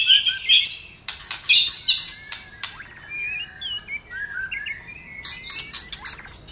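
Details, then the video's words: White-rumped shama singing while fired up and flicking its tail: bright high chirps, then a run of clear slurred whistles, several rising, mixed with sharp ticking and chattering notes. "Chòe lửa hót Căng lửa, chòe lửa đánh đuôi kích cực nhạy. chòe lửa hót nhiều"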